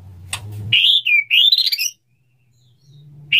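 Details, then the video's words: Male white-rumped shama singing to court a female: one loud whistled phrase that rises, dips and climbs again, after a low hum and a click, with a brief note starting at the end. "suara burung murai batu jantan merayu betina, suara burung murai batu mau kawin"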